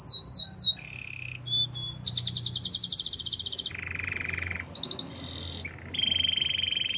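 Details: Canary training song: varied tours, including swooping notes, a rapid high rattling trill, a lower rolled tour, and short whistled segments, in a clear, close recording with a faint low hum.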